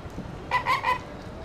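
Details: Flamingos calling after an airplane passes overhead: three short, nasal honks in quick succession, over a quiet rumbling background.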